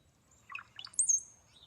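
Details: A recorded brown-headed cowbird call, played in Northern Virginia in spring while the species migrates north from Central America: two or three low, liquid gurgling notes like drinking, then a thin, very high whistle sliding upward like a sigh; quiet background.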